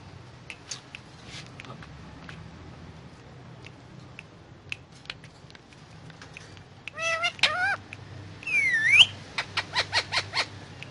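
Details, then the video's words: Indian ringneck parakeet eating guava: faint clicks for several seconds, then quavering nasal calls, a dipping and rising whistle, and a run of short sharp pulses. "Indian Ringneck Parrot talking and eating guava"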